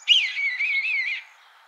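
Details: Red-tailed hawk screech, one wavering, hoarse shriek lasting just over a second that rises and dips several times before cutting off, in quiet surroundings.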